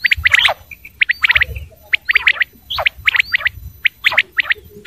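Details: Male and female quail calling: clusters of sharp, high chirping notes in quick bursts, about one burst per second, with a short whistled note between them. A low rumble sits underneath.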